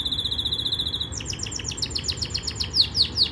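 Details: Yorkshire canary song in training style: a long even buzzy trill held for about a second, then a quick series of repeated descending chirps growing louder toward the end, over a soft low hum.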